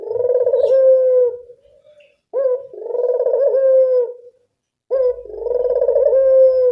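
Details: Three rich, buzzy coos from a local spotted dove used to lure birds, each about a second and a half, with short pauses and near-silence between.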